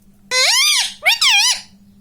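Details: Indoor pet rose-ringed parakeet utters "mummy" as two loud, nasal squeaky syllables, each rising then falling in a smooth arch, with a steady low hum behind.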